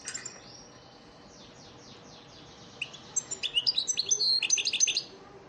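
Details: Goldfinch lesson song, elmacık style, for training caged birds: a run of thin descending whistled notes, then a lively burst of sharp, chirping, rapidly repeated twitters.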